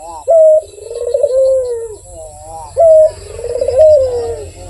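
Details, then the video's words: Barbary dove, known locally as puter, cooing eagerly: two rolling coos, each started by a short clear whistle-like note and trailing into a long descending throaty purr, with a quiet hum beneath. "SUARA BURUNG PUTER GACOR || BERSUARA MERDU"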